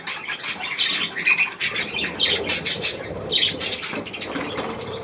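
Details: On 3 May 2024, young budgerigars near millet give bright harsh squawks and chirps, densest in the first half, with some rustling.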